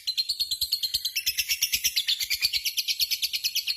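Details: Lovebird ngekek: a continuous, fast, shrill chattering rattle of evenly spaced harsh notes, roughly three per second, sustained throughout without a break.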